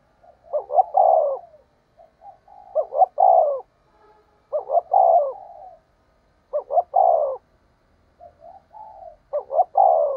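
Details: Decoy spotted dove calling to stir up wild doves: low, hollow cooing phrases of two quick notes and a longer drawn coo, about every two to three seconds, five phrases with soft lead-in coos between, quiet background.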